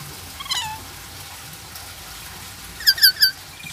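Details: Black-capped lory, known locally as nuri kepala hitam, a talking pet bird said to say "selamat sore" (good afternoon). One brief squeaky note comes first, then after a pause three quick, bright, squeaky voiced syllables.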